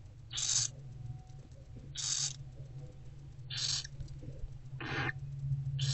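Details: Growing barn owlets begging as their mother feeds them in an owl box during the late morning of 15 February 2024: five noisy, snore-like hisses roughly every 1.5 seconds, low hum throughout.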